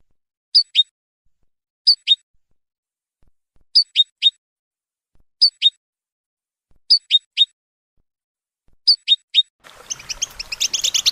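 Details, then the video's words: European goldfinch calls played for training songbirds: short bright two- and three-note chirps, repeated about every one and a half seconds over silence, ending in a burst of rapid busy twittering. "Goldfinch Training With Stimulating Support for Songbirds"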